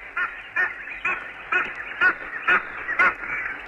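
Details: Egyptian goose in East Africa giving loud, harsh honking alarm calls, about two a second, hoarse and nasal, with a rough edge.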